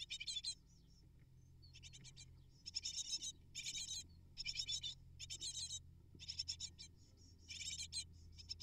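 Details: Great tit nestlings, eight in the nest, beg for food brought by their parents, giving loud bursts of high, scratchy chirping separated by short pauses, with a steady low hum beneath.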